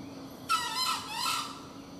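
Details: Junglefowl crowing during a hunt in the wild: one harsh, harmonic-rich call about a second long with a sudden loud onset, then a wavering, slightly falling tone that fades out over a faint steady insect hum.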